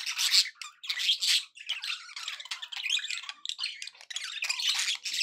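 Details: Cheerful pet budgerigars give loud squawks at first, then a continuous flow of raspy twittering and squeaky notes.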